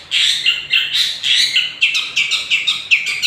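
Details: Short burst of lure song from a young 'gondrong' Long-tailed Shrike: dense, scratchy chattering notes running together for about three seconds.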